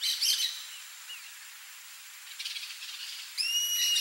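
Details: Free-living rusty-margined flycatcher: a brief harsh chatter opens, then a quieter stretch with faint scratchy notes, ending on a long, drawn-out whistled note that begins near the end.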